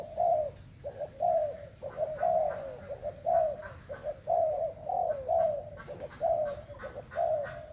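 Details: Spotted dove of Thai stock cooing, soft low hooting notes delivered roughly once a second in uneven phrases, each coo bending slightly downward, over a faint low hum.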